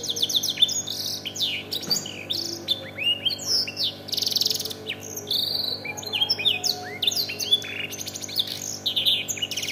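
A domestic canary sings a fast, unbroken run of high, twittering and trilled phrases in the style of a black-throated canary. A faint low hum sits underneath.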